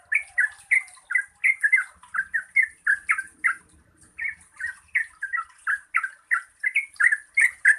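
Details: Yellow-vented bulbul lure song in 'gacor ropel panjang' style for birds slow to sing: fast chattering, bubbly notes, a brief lull near the middle, then renewed rapid phrases.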